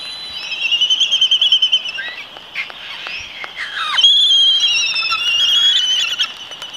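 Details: Laysan albatross performing its mating dance on Midway Atoll; a quick run of rhythmic high pulses, then sliding downward notes and louder drawn-out calls, all over a steady dense chatter from the surrounding colony.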